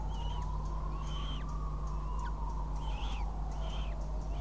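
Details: Northern goshawk with prey near Riga, Latvia, in June: thin, high whistled calls with a falling tail, repeated about every half second, over steady loud broadband noise and a faint rising-falling tone.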